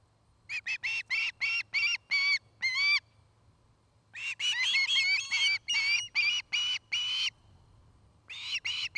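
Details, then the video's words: Osprey pair at their new nest in Charlo, Montana, during nest building and courtship; rapid bursts of sharp, whistled chirps, each run of about ten notes separated by short pauses, repeated several times. "Osprey Nest"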